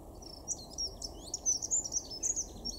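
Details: Dunnock in a garden in Weener, East Frisia, far northwestern Germany, in February 2023, giving a rapid, high, scratchy warble of thin twittering notes for nearly three seconds over a low steady background rumble.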